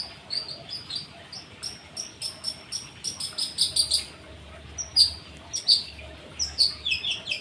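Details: Long-tailed shrike song, 'rol dot' style, answering recorded birdsong: sharp high chirps and clicks in uneven bursts, with several bright whistled accents.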